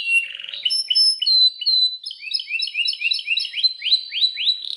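A Belgian canary sings a rapid, high, varied song of trills and quick rising whistled notes, several phrases every second, with no other sounds.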